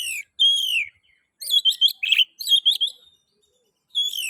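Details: Singing Oriental magpie-robin, a lure meant to trigger song in other magpie-robins: a long clear whistle followed by a quick run of bright, slurred chirping notes, then silence and a final falling whistle.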